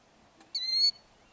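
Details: Killdeer at Kananaskis, Alberta, Canada, guarding eggs in a ground nest with an injury-faking distraction display. It gives a single loud, piercing, flat high note lasting about a third of a second in otherwise quiet surroundings.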